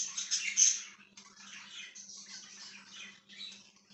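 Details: Budgerigar chirping indoors: a loud burst of scratchy, high chatter in the first second, then a softer stream of warbling, clicking chirps with a steady low hum behind.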